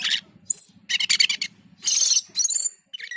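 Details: Cucak keling (black-and-white bulbul) in gacor and teler song: a sharp high whistle between loud harsh chattering and rattling bursts, over a low pulsing hum.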